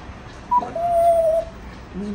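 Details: Female pet African grey parrot praised as a good girl by her owner in Hindi: a clear, steady, whistled note held for nearly a second, followed by a low, brief tone as the owner keeps talking.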